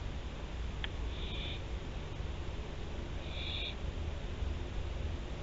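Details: Two rasping half-second hisses from barn owls at Théding, France, 24 September 2021, separated by a two-second pause, with one sharp click before the first and faint background hum.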